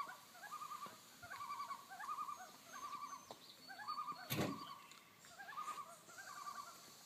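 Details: Common loon pair tremolo alarm calling on Fifth Crow Wing Lake, Nevis, Minnesota; wavering, laugh-like tremolo phrases repeat steadily through the clip, with one sharp loud click or knock partway through.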